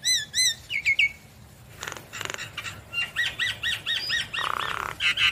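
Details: A Javan myna, nodding in full song and answering straight away, gives a varied run of clear whistled notes, rising slurs and harsh rasping bursts in quick repeated phrases.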